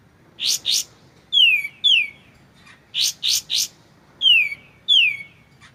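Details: White-shouldered triller in a clear training recording with pauses: paired and tripled sharp high chips alternate with loud descending whistled slurs, about ten notes in six seconds, on a quiet background.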